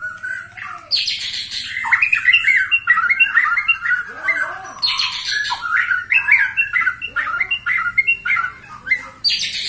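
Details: Forceful song from a white-rumped shama said to be 21 years old, kept as a cage bird: varied loud warbles mixed with hissing harsh bursts and quick chattering phrases, continuous throughout.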